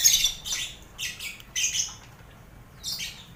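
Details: Caged lovebird colony mixed with finches and quail, recorded to toughen birds for song contests: grating high squawks come in separate bursts, with a gap of near silence before a final pair.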